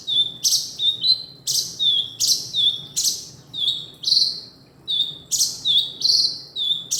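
Sharp, high chirps from a male kinoi come roughly once a second, each a bright slurred note with a brief buzzy tail, over faint low background hum.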